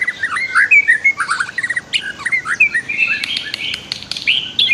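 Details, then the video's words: White-rumped shama master song with a flowing river, meant for training other birds: varied rich whistles and warbles in quick succession, with sharp clicks and high rasping notes mixed in. "MASTER KICAU MURAI BATU DAN SUARA ALAM"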